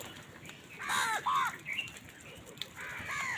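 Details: Several crows cawing in the morning while fighting wild birds over food: a few quick, rasping caws come close together, softer and more distant than the surrounding chorus.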